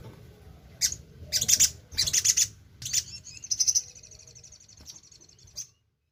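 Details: Sogon (crimson sunbird) in full song, meant to draw other sogon to sing; bursts of very high, sharp ticking chirps followed by a long, thin, high trill fading out before silence.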